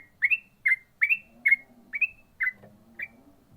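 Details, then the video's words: Singing yellow-vented bulbul, ropel style: seven crisp upslurred whistled notes roughly every half second, some doubled, above a soft background hum. "burung trucukan ropel mantap"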